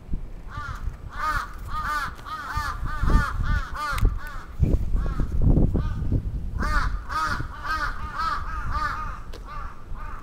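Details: During an attack in Atsubetsu Ward, Sapporo, Japan, on 27 June 2017, a crow gives long runs of raspy caws in two bouts, with thuds and rumbling noise between them.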